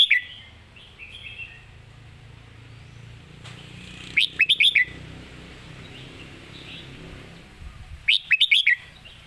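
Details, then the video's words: Red-whiskered bulbul, a competition bird, in its clear master song: two crisp phrases of quick, springy whistled notes, each lasting under a second, separated by soft background twittering and low noise. "เสียงดี''สำนวนชัด เพลงแม่บท/นกแข่ง#เสียงนกกรงหัวจุก"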